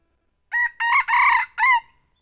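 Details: A young red junglefowl gives a lure crow for hunting. Four bursts follow close together: a crisp short start, two longer rasping notes, then a clipped falling finish, with quiet around it.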